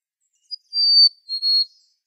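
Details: Black-capped Chickadee, likely male, sings its clear whistled fee-bee ("hey sweetie") song, sung year-round but mostly late winter and spring, partly to attract a female: a higher pure note, then a slightly lower one with a faint break.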